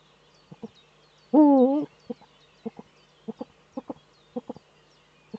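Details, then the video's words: Eurasian eagle-owl male courting inside the breeding niche, nest webcam, northern Rhineland-Palatinate, Germany, 4 May 2013: a loud wavering tonal call amid a steady run of short paired clucking notes repeated roughly every half second. "Das Uhu-Männchen balzt in der Brutnische"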